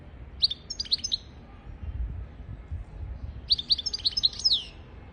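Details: Tutor song of a European goldfinch for training goldfinches and canaries: two short phrases of sharp, tinkling chirps split by about two seconds of quiet, the second ending in a falling slur; faint low background rumble.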